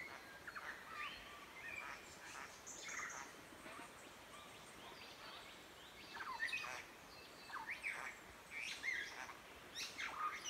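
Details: Satin bowerbird up in creek-side trees on a rural property in Victoria, Australia, calling possibly to impress a female or scare off a rival; a known mimic of kookaburras. Varied rapid chattering, whistled slurs and harsh buzzy notes in irregular bursts.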